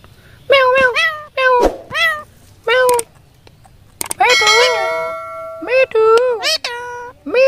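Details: Talking Indian ringneck parakeet imitating human words: a rapid string of nasal, meow-like syllables, some clipped and some drawn out with rising and falling pitch, with a brief ringing metallic clang in the middle.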